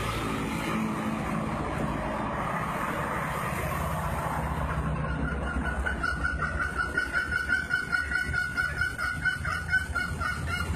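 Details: A two-year-old green junglefowl from Lombok, entered in a 2016 crowing-video contest, gives a hoarse, husky crow. There is a steady background rumble, with rapid, regular ticking pulses in the later seconds.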